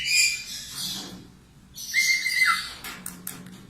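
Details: Budgerigar warble, recorded to train cockatiels: fainter scratchy chatter, a short lull, then a thin flat whistle bending downward, followed by clicky ticking notes.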